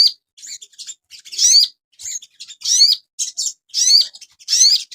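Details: Asian pied starling, a caged bird, on a master recording for training cage birds, giving lively, varied phrases of high, warbling and whistled notes in bursts with short pauses, some rising and falling glides.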